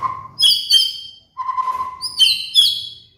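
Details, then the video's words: Caged white-rumped shama singing master-song material for training moulting birds: a steady low whistle, then bright, high, ringing notes with sweeps, then another held whistle before more sharp phrases. "PANCINGAN MURAI BATU | MASTERAN BURUNG MABUNG"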